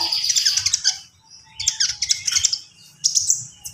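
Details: Javan pied starling singing in a gacor style with full isian fill-ins: bursts of shrill, high chattering and squeaky notes, broken by a pause near one second, then renewed sharp chirpy phrases with a steady low hum underneath.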